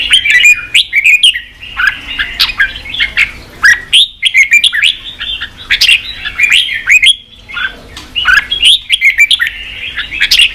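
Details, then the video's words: Red-whiskered bulbul song meant to stir up fighting spirit in newly caught birds: a long stream of loud, clear chirping phrases with sharp slurred notes, broken by a few short pauses. "Kích chào mào bổi đấu, luyện chào mào sổ giọng, kích chào mào căng lửa"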